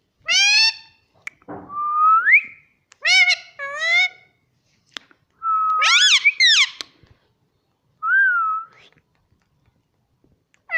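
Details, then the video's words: Talking Indian ringneck parrot, a pet taught to say words like mummy and papa, producing harsh harmonic speech-like syllables and gliding whistles in separate bursts with short pauses, in a quiet small room. "parrot talking mummy || papa bolta tota || indian ringneck parrot"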